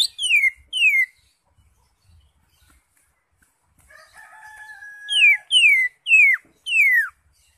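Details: Greater green leafbird in gacor ngentrok song full of varied phrases: pairs of whistles dropping steeply in pitch, a steady droning tone midway, then four more downward-sliding whistles in close series.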